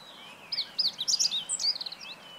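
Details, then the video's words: Meadow bunting singing, 20 March 2015: a rapid, varied phrase of sharp high notes, a few quick slurs and twittering elements, clear above a quiet background. "囀るホオジロ hoojiro - Meadow Bunting"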